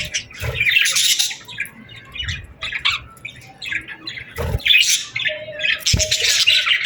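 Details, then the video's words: Many birds chatter at sunset on a summer evening, making rasping squawks and sharp chirps in overlapping bursts. A few low thuds and a brief clear tone appear between the calls. "Evening Birds Chirping Sounds Effect | Summer Birds Singing at Sunset"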